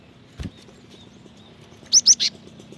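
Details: A female cinereous tit's fast call to a male, played to draw out wild birds: a single soft click, then a crisp triplet of high chirps in quick succession.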